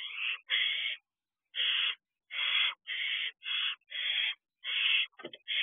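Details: Barn owl owlets on an owl box perch on the evening of 3 June 2023 make a run of about nine raspy, hissing screeches in quick succession, with a brief clicking scuffle near the end.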